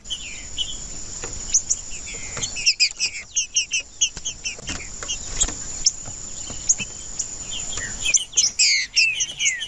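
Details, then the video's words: Male Green-winged saltator singing to excite and provoke rival males. Short slurred whistles repeat throughout, with a denser burst of clear rising and falling notes near the end. A constant thin high-pitched tone runs underneath. "Trinca-ferro Macheando com Trinca ferro cantando Para Esquentar Trinca ferro"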